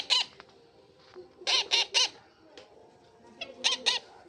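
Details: Young pet parrot repeating harsh "chi chi" squawks, a single note followed by a triple burst and a closing pair, with quiet gaps between.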